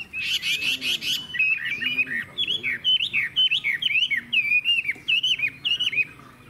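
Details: Chinese hwamei in a cage opening with a harsh buzzy rattle, then a steady string of clear hooked whistles repeated roughly twice per second.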